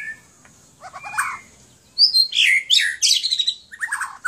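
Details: A captive White-rumped shama in Aceh, Indonesia, sings loud, varied phrases: clear whistles, quick slurred and buzzy notes, high and rich, tumbling rapidly one after another.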